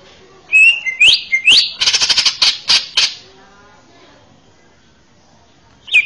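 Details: Male greater green leafbird used to teach young birds sings rising whistled notes, then a loud buzzy stuttering rattle, followed by near silence and a final short note.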